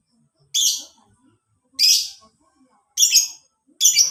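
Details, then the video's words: Lovebird recording meant as a master lure for training caged birds; four loud, harsh, shrill screeches roughly every second, each a scratchy burst under half a second, in an otherwise quiet setting. "PANCINGAN MASTERAN SUARA LOVEBIRD"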